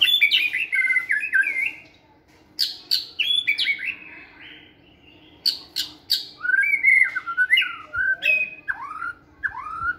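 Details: White-rumped shama in a flight cage, singing hard during stamina training: many loud, varied phrases of whistles mixed with sharp clicks and buzzy notes, broken by short pauses.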